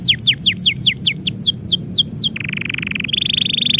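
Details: Canary singing when its owner is about to leave: a series of about twelve quick descending whistled notes, then a steady low trill, then a higher, faster rolling trill.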